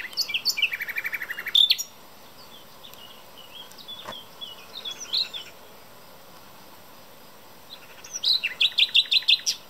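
A common nightingale sings a rapid rattling trill, then soft scattered whistles, ending in a burst of loud, fast repeated notes.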